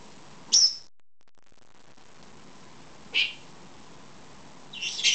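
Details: Two-year-old female lovebird kept as a pet, wanting a head scratch: sparse high, sharp chirps with long pauses, ending in a harsher, rougher squawk.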